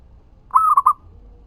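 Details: One zebra dove coo phrase, a local bird used as a lure: a sustained note followed by two fast short notes, on a quiet background.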